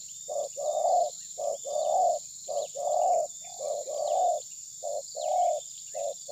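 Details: Decoy spotted dove in a trapping session, not striking the opposing bird. Loud, rhythmic low coos alternate short and longer notes almost every second, with a constant shrill insect hum behind them. Recorded on a phone.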